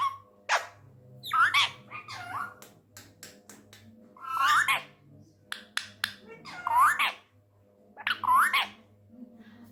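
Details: Tame male Indian ringneck parrot talking in Urdu/Hindi, said to be angry: repeated nasal, rising-and-falling word-like phrases about every two seconds, mixed with clicks and taps in a small room.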